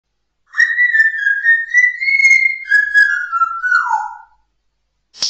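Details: Pet African grey parrot indoors whistling along to a TV dance show theme tune: a long, clear, sustained whistled phrase, smoothly rising then dropping in steps toward the end, followed by a brief click.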